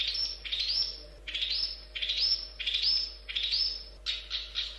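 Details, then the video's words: Long-tailed shrike singing: harsh, buzzy notes that sweep upward, repeated in quick bursts about every second, with brief pauses between phrases. A low steady hum sits underneath. "Kicau Burung Cendet Pentet"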